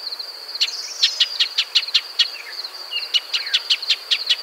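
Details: Shining sunbird (Cinnyris habessinicus) recorded in natural desert habitat in arid Africa or Arabia: bursts of sharp, clicking chip notes, several per second in uneven runs, over a steady high insect-like hum.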